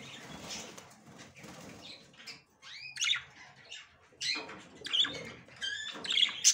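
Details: Female budgerigar attempting her first entry into the nest, with curved rising squeaks and clusters of bright chirps coming in irregular bursts over faint rustling.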